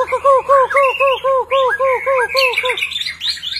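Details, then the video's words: White-rumped shama during display, singing a repeated series of about ten low arched whistles, roughly four per second, followed by higher fluty and chattering notes overlaid with other bright phrases. "ลีลา นกบินหลาดง MURAI BATU GACOR White-rumped shama Display kích chòe lửa hót nhiều giọng บินหลาดง"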